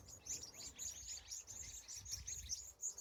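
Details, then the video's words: Evening birds in California at sunset, a rapid chorus of very high, sharp chirps pulsing several times a second, with a soft low background hum. "Sunset, Bird Sounds, Sky and Colors"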